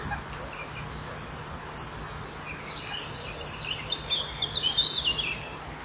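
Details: Male common kingfisher calling outside the nest at 06:48 on 3 June 2015 while the female lays her fourth egg; shrill, thin, high whistles, some single, some in quick runs, over a steady low hum.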